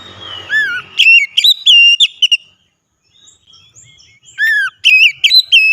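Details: Oriental magpie-robin singing loudly, used as a lure for a reluctant bird: ringing whistled notes with sharp upward sweeps and looping inflections in quick bursts, a one-second gap of soft chips between.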